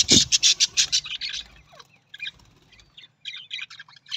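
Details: Budgerigar, an Australian parrot, opening with a fast string of loud, harsh pulsed notes, then fading into softer scattered chirps and squeaky twitters.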